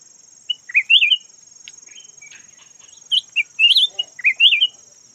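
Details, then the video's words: Yellow-variant red-whiskered bulbul serving as a decoy: two clear bouts of quick, looping whistled notes climbing and falling, separated by a quiet gap, with a steady thin high hum in the background. "Suab nooog diab daj quạj cuab los zoo heev chim chào mào vàng chim mồi"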